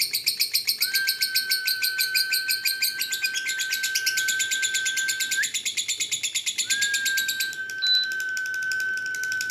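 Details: Lovebird, dun fallow, in sustained ngekek-style song: buzzy chirps rattled off in quick succession, slowing slightly near the end. A steady high hum persists in the background.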